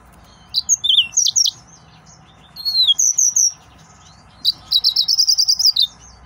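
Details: Male yellow-fronted canary in an excited state, singing three phrases of bright high-pitched whistles, including sliding notes and rapid trilled runs of repeated syllables, with brief silences between phrases.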